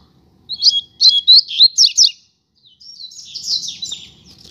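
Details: Pair of double-collared seedeaters (coleiro) outdoors on a street, singing with strong drive: rapid high chattering notes in quick bursts, then a softer warbled run. Faint low background noise.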